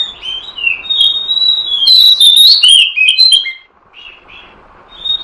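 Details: Trapping lure of an oriental magpie-robin: soft whistles build into a loud, intricate phrase of rising slurs and crisp chips, then fade into a lull and a few quiet whistled notes.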